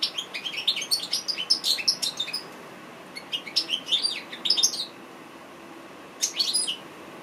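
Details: Goldfinch, called an African goldfinch, singing: bursts of quick, bright twittering and tinkling chirps, several notes a second, in runs of about two seconds separated by short pauses, with a final brief burst after a gap; quiet background.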